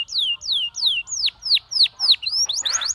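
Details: Canary singing to tempt other canaries to sing: a slow series of clear, loud downslurred whistles, about three per second, the later ones sharper and more hooked, with a brief noisy burst near the end.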